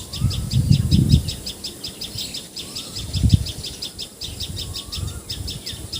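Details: A common tailorbird in Assam, India, gives a high, sharp note repeated rapidly, about five times a second, over low wind rumble and faint whistles from other birds.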